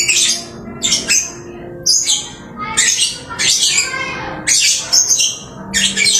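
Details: Lovebird singing busily, given as a home-kept bird; harsh, buzzy high chirps in dense bursts of about half a second, with short pauses between, repeated steadily through the recording.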